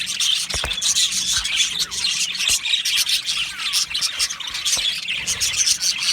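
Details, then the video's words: Budgerigars in an Australian budgie aviary colony during breeding and mating, their high, scratchy chirps and twittering overlapping in an unbroken chorus, with a few faint clicks. "Beautiful Budgie Singing and chirping sounds | Budgie Parakeets sounds"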